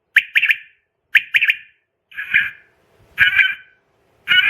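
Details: Female quail calling, sound used for quail trapping; quick clusters of two or three sharp raspy notes, then single harsher buzzy notes, repeated about once a second against silence.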